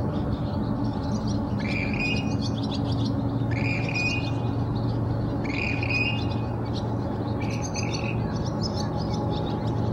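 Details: Western grebe (Aechmophorus occidentalis) during courtship, selecting a mate in early morning at sunrise, gives grating, two-part creaky calls about every two seconds over a steady low rumble of wind or engine.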